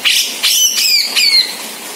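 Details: Grey-cheeked bulbul from Sumatra singing the harsh ngebeset style meant for tutoring other birds: three loud raspy notes, each sliding downward into a thin whistled tail.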